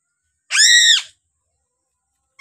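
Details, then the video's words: Piping crow, a bird endemic to Sulawesi, gives one loud harsh scream lasting about half a second, arched in pitch and rich in overtones, then silence until another call begins at the very end. "suara burung gagak sule cukup menyeramkan"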